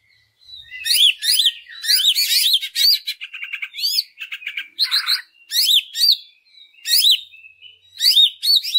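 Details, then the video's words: Greater green leafbird song used as bait to push other leafbirds to sing: varied arched whistles and chirps in bursts, interspersed with short buzzy rattles and a harsh noisy note, loud and continuous throughout. "Pancingan Cucak Ijo Sangat Ampuh Untuk Menaikan Mental Ijo Lain Agar Mau Jamtrok Bongkar Isian"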